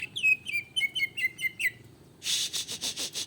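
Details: Greater green leafbird singing in an agitated state to provoke rivals. Six descending, slurred whistles are repeated quickly. They are followed by a harsh, buzzy, rasping rattle of pulsed notes.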